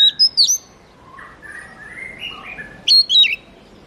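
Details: Oriental magpie-robin (murai kampung, kacer) song opening with sharp high whistled chirps, moving into a softer, lower warbling run of slurred notes, then closing with another burst of bright, piercing whistles.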